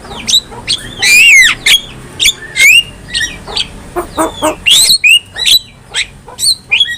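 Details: Black-winged myna song meant to train other mynas, delivered as rapid bursts of squawky notes and bright, looping whistles with short pauses between phrases.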